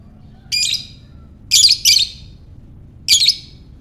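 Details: Lovebird ngekek calls for prompting other lovebirds: loud, harsh squawking chirps, a single burst followed by a quick doubled pair and one more, each harsh and buzzy against a quiet background.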